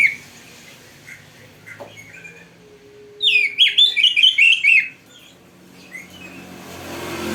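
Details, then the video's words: Oriental magpie-robin (kacer) song meant to spur training birds to sing: a burst of rapid, rich chattering notes between quieter passages with faint background noise. "Masteran Burung Kacer yang cocok untuk Latihan"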